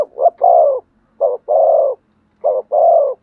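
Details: Close spotted dove in thổ sấm style song. Three crisp phrases, each a short note leading into a long, even, hoarse coo, about one phrase per second. The background is quiet.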